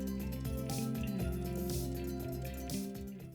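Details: Instrumental music with a steady beat and sustained tones plays throughout, with no animal sounds.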